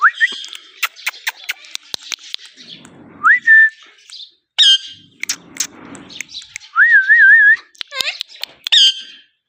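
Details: Talking pet ringneck parrot from India giving a mix of sharp clicks and ticks, short upswept whistles and a wavering, rolling whistled phrase near the end, with quiet chatter between.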